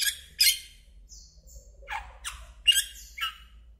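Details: Asian glossy starling, an introduced bird in Taiwan, uttering loud harsh squawks and rasping downslurred notes in irregular succession, mixed with a few thinner whistles, over faint low rumble.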